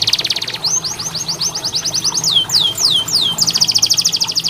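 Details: Canary song for training canaries to sing: a fast dry trill, then a string of short rising chips, a few slower falling whistles, and another rapid high trill at the end.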